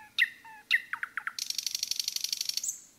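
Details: Nightingale song in the forest: two sharp whistled chirps, a few quick descending notes, then a fast rattling trill held for over a second before a thin high whistle.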